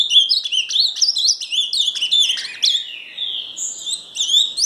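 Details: Ultramarine grosbeak (azulão, Paraná) singing clear, rollicking whistles that slide and flick upward, a smoother drawn-out phrase near the end; nothing else clearly audible.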